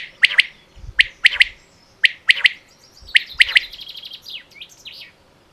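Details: Female quail calling, batair, from Pakistan: sharp, high, clipped notes in tight pairs and triplets, repeated roughly once a second, followed by a quicker chattering run of softer notes, with faint low thumps underneath.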